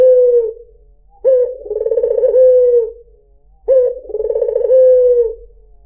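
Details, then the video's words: Lure recording of a white dove, locally puter putih, giving two full coo phrases. Each starts abruptly, pulses in a rapid throaty roll, then settles into a sustained, slightly falling hoot. Background silent. "PANCINGAN SUARA BURUNG PUTER PUTIH || SUARA BURUNG PUTER MERDU"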